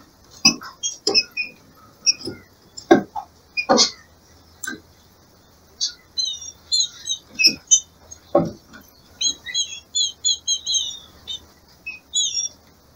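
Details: Green-winged saltator female in breeding season, calling to rouse a male, held in captivity. Repeated sharp clicks and knocks lead into runs of high, thin, slurred chirps that grow denser toward the end.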